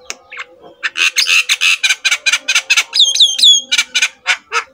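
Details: Black-winged myna master song, used to coax quiet mynas into singing: a rapid series of harsh, broadband squawking notes, several clear whistled notes with falling slurs near the end, over a faint steady low hum.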